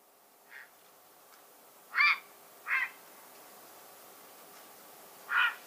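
Grey heron giving four short, harsh, croaking squawks at irregular gaps over a quiet background; the first is faint, the later three loud and raspy.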